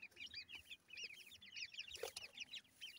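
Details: Thin, high, chevron-shaped peeps from a group of grey francolin chicks, repeated rapidly and overlapping, with one brief knock in the middle.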